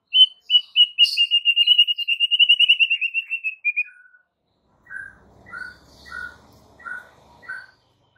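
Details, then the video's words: White-rumped shama masteran recording to draw responses from other shamas: a long, rapid string of clipped whistled notes that speeds up and gently falls, then a slower series of lower, short slurred whistles. "7 DETIK AUTO RESPON MURAI BATU ANDA DENGAR MASTERAN MURAI BATU SATU INI"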